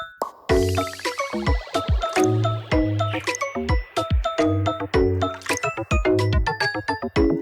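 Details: Bouncy instrumental music with plucked and chiming notes and a steady bass pulse, played throughout.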